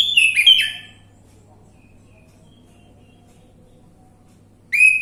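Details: Orange-headed thrush lure song meant to prompt a bird that has stopped singing: one full warbled whistle phrase, then a long pause before the next phrase starts, with faint background hum.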